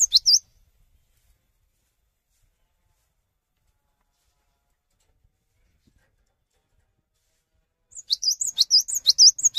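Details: A cinereous tit in full song, good at prompting other cinereous tits to join in, gives a brief high note, then after a long silence a fast run of bright, high two-part notes, about two per second.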